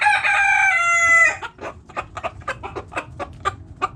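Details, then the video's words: Backyard chickens: a rooster's loud harmonic crow for over a second, then hens clucking in short repeated bursts, roughly three per second. "Backyard Chickens Relaxing Video Sounds Noises Hens Clucking Roosters Crowing!"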